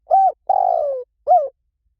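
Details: Spotted dove call used as a lure for training doves to answer back, lio tan style: a rounded coo, a long slurred descending coo, then a shorter closing coo, clear and isolated.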